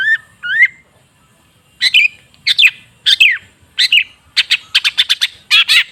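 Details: Long-tailed shrike singing as a lure to get a silent shrike going again: two clear rising whistles open, then harsh scratchy phrases and a quickening volley of sharp chips near the end.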